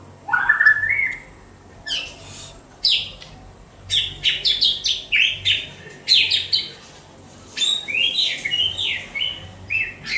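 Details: Kept white-rumped shama in Banda Aceh opens with a rising whistle, then pours out rapid, varied bursts of high scratchy notes, clicks and short trills in quick succession.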